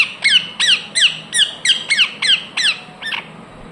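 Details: Rose-ringed parakeet in a fast series of piercing squawks, each a harsh downward slur, evenly spaced roughly three per second before trailing off.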